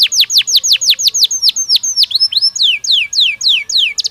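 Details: Belgian canary song used as daily training stimulus: repeated falling whistles, then complex branching notes, then a series of clear sweeping notes sliding downward, rich and melodic.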